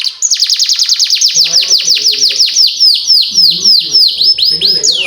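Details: Non-stop canary song with long 'cuit' chirps to train young canaries: a long, steady run of about two dozen high notes, each swooping downward, then a rising whistle at the end, with faint low background noise.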